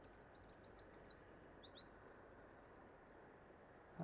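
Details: Linnets migrating overhead by the sea around 8 AM on 18 April, on a blustery, chilly day, twitter in high, quick notes, ending in a fast run of about ten even chips, over a steady rumble of wind.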